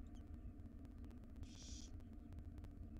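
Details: One rasping, snore-like hiss of about half a second from wild barn owl owlets, five chicks in a nest box being fed breakfast by their mother; low hum throughout.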